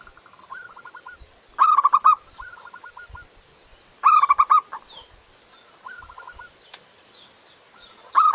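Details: Local zebra dove singing actively: bursts of loud, staccato rolling coos recur about every two and a half seconds, each followed by softer stuttering coo trills, with faint clicks between.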